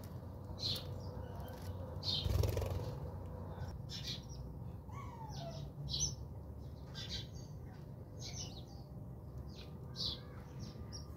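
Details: House sparrows chirping while bathing at a home in South Africa: quick, irregular high chirps, one harsher squawk and a descending note, over a low steady hum and a brief thump.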